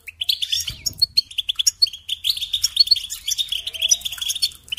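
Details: Captive European goldfinch producing a long twittering song of quick, slightly buzzy notes and tinkling trills, with a brief low rustling sound early on.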